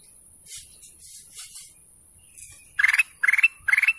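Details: Golden canary singing: after soft murmuring, three loud buzzy trilled notes sweep upward, each a quick rapid pulse, repeated about every half second.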